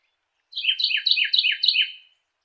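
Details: A short Carolina wren song of five quick, full-toned phrases, each swooping downward, spaced evenly over one and a half seconds in a quiet setting.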